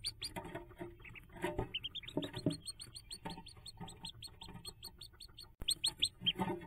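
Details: Hooded merganser ducklings around their nest jump, 5 May 2024: continuous high, slightly down-slurred peeps from several chicks, mixed with scraping and knocking sounds and a brief break near the end.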